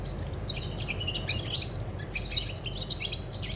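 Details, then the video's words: Short European goldfinch song burst from 20 August 2020: busy high twitters, sharp chirps and a few buzzy notes tumbling quickly together, with a low steady rumble in the background. "GOLDFINCH SONG"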